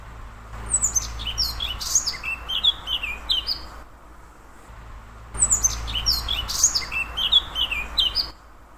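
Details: Eurasian blackcap at Bras, 25 June 2021, sings two rich, warbling phrases of about three seconds each, bright notes tumbling downward, over a low steady rumble.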